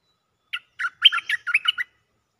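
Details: Cream-vented bulbul giving a mate-attracting lure call: one short bubbly note, then a quick chattering run of about ten warbled, burry notes lasting just over a second, against a quiet background.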